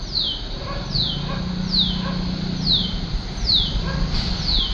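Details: A Shikra in Mapusa gives sharp, high, downslurred notes, about one per second, six in a row, over a steady low rumble of background noise.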